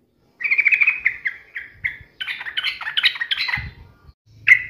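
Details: Yellow-vented bulbul in full song, taunting a rival, used to provoke another bulbul into answering: a bubbly, chattering run of short warbled notes, then a faster burst of rising and falling phrases, ending in one loud note, with faint low thumps.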